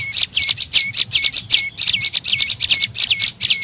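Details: Lure call of the tailorbird (prenjak lumut) for attracting birds: a rapid chattering of high chirps, several falling into a short flat tail, delivered in fast clusters.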